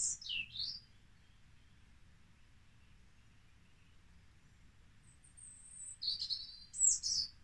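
European robin singing: a short, high, thin warbling phrase, a pause of several seconds, then another sweet tumbling phrase, over a faint low hum.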